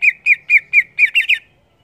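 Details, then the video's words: Rapid 'gacor ngeplong' song of a greater green leafbird, seven ringing whistled notes about a quarter second apart, the last ones quicker and doubled before falling silent. "Cucak ijo gacor Ngeplong"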